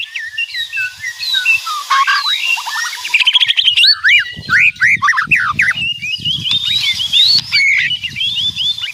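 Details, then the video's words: White-rumped shama in full song, a fast stream of whistled slides, chirps and a burst of rattling clicks, with soft low thumping noises in the background during the second half. "Suara Kicauan Keras Murai Batu Meriah Full Isian"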